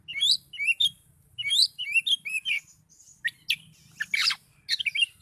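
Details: Oriental magpie-robin singing in high agitation, repeating a phrase of quick rising whistled notes, then harsh buzzy bursts and scattered sharp chirps.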